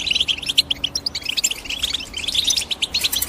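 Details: Rapid, sparkling chirps from a European goldfinch, short clipped notes tumbling quickly one after another in a lively twitter.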